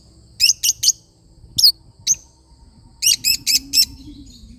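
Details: Lovebird, a small parrot, singing: two bursts of shrill, piercing chirps, three quick notes, then two isolated ones, then four rapid notes in a row, all high-pitched with a faint low hum behind.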